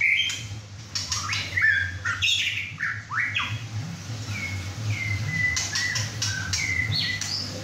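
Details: Male White-rumped shama aged six and a half months, in his first chai session at home with other birds: varied bright whistles and upward slurs early, then steadier clear whistled notes at a quick pace.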